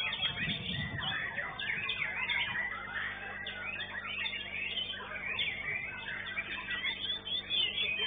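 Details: Oriental magpie-robin at a songbird singing contest, placing second, singing a dense, fast stream of varied whistles and chattering phrases, with other competing songbirds singing over one another and a low crowd murmur.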